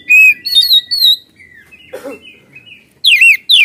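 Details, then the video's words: Oriental magpie-robin (kacer) lure recording meant to make other magpie-robins sing: loud, clear whistled phrases rising and falling, with a short burst of lower notes midway and quick sweeping notes at the end. "Kacer Gacor Ngeplong Full Isian Suara pedas"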